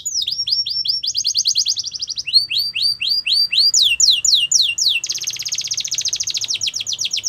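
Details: Yellow canary singing in the wild, moving through repeated phrases of falling whistled sweeps, a buzzy fast trill and curved slurred notes, ending in a long, very rapid rattling trill; soft low rumble in the background.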